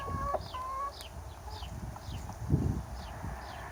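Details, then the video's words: Chicken on a farm in the morning: a loud harmonic crow-like call with stacked tones fades out within the first second, then low rumbling and clucking sounds, while small birds chirp in quick descending notes throughout. "Rooster and Chicken Noises"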